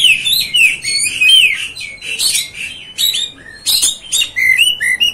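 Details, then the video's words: Kacer, the Oriental magpie-robin, in full song to fire up other kacers: flowing, slurred whistles running into harsh buzzy notes, then separate crisp upward whistles toward the end. "MEMANCING | MEMBAKAR EMOSI KACER ANDA"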